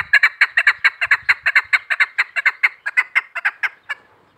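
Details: Female chukar partridge calling in a hunter's recording: a loud, quick sequence of about two dozen gravelly clucks that slows slightly before ending at four seconds, with faint low rumble beneath.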